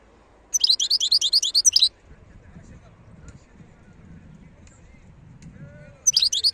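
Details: Wild European goldfinch song: a rapid, high-pitched twittering phrase of roughly a second, then near silence with faint low rumbling, before the next phrase begins at the end.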